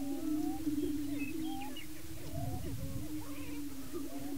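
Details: On a Kansas lek in Washington County, displaying male Greater Prairie Chickens fight over breeding territory; a continuous low hum runs throughout, overlaid by a busy jumble of swooping whoops, a few higher squeals and cackles.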